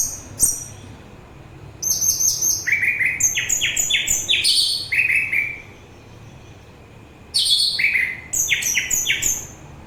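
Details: Orange-headed thrush song for relaxation and for drawing in thrushes and other birds: long varied sequences of quick, clear, repeated notes stepping down in pitch, a pause near the middle, then another rapid run.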